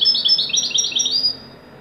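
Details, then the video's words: Joyful song of a Moroccan wedani goldfinch: a quick series of sweet, metallic twitters in a high register, about one second long, then a quiet pause. "تغريدة طائر الحسون الويداني المغربي قمة الاداء فرحة ممتعة"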